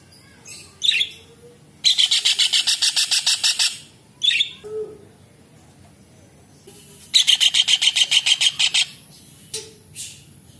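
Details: Kingfisher (tengkek udang) in full voice, recorded for songbird training: scattered single harsh squawks around two long bursts of rapid, grating, repeated notes, each about two seconds, over a steady faint high-pitched hum.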